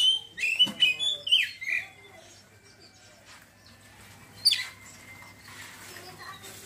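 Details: Oriental magpie-robin giving ngeriwik chatter and ngeplong song: a quick run of loud whistled and squeaky notes for about two seconds, then mostly quiet with one sharp call and faint notes.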